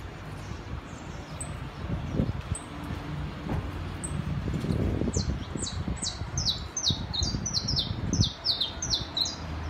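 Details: Saffron finch in the city, a tame pair on a terrace: a slow start of scattered high chirps, then from the fifth second a fast run of bright, descending chirped notes, over steady low traffic rumble.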